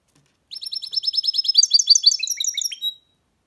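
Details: Goldfinch mule, a goldfinch hybrid, singing a fast high trill of rapid repeated notes that turns into varied twittering and ends with a few lower chirps, clean with no other sounds.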